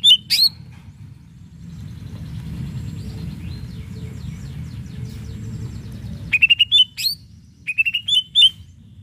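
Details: Greater green leafbird in full, energetic song meant to provoke rivals into answering: a sharp burst of high notes, then after a quiet stretch a run of bright, clear whistled phrases with quick up-and-down slurs, over a low background rumble.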